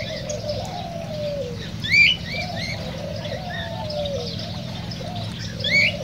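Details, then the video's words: Cockatiel calls meant to encourage breeding and singing: scattered short rising whistles, with two louder bright upslurred notes near the start and end, above a steady low warbling chorus of other birds. "تغريد كوكتيل"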